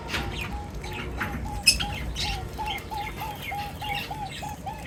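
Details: Birds at feeding time: a steady string of about a dozen short, mid-pitched, slightly rising notes repeats several times a second, while higher chirps and faint flutters sound behind it.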